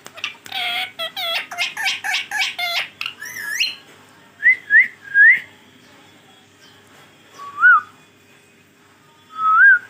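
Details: Pet green ringneck parrot talking: a quick run of harsh, voice-like syllables, then a series of clear, bending whistled notes spaced over several seconds in a quiet room.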